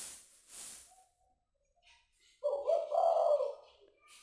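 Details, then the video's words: Caged spotted dove, kept since it was a chick and now starting to call, cooing with only a single 'kuk' ending. A short hiss burst and a quiet pause come first, then one low, hoarse, rolling coo lasting about a second. "Derkuku Kuk 1"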